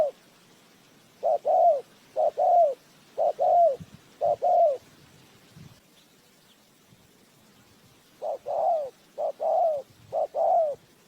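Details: ['Spotted dove used as a decoy for bird trapping, giving low mellow cooing phrases: two bursts of four or five short and drawn-out falling coos, separated by a few seconds of quiet.']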